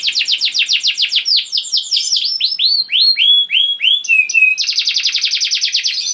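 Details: Canary singing gacor style to coax other canaries to call: fast repeated slurred notes, slower sweeping whistles and a liquid descending phrase, then a tight buzzy trill.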